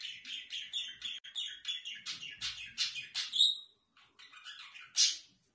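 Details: Kept budgerigars give a lively warbling chatter of quick, high chirps and squeaky notes in an irregular stream, pausing briefly near the end before one louder harsh squawk.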